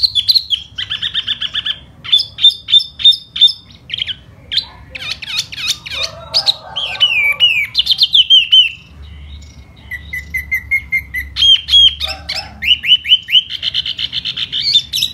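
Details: In spring, a silver-eared laughingthrush sings in the 'hót xoè' manner. A long varied performance of steady whistled tones, quick clicking chips, and looping slurs, broken by a brief pause and resuming with bright repeated phrases.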